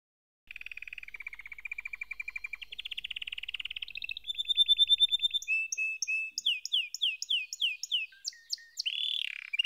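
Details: A canary sings a long varied sequence: a low buzzy rolling trill, a higher steady trilled tour, then loud, evenly spaced swooping whistled notes that end in a sliding slur.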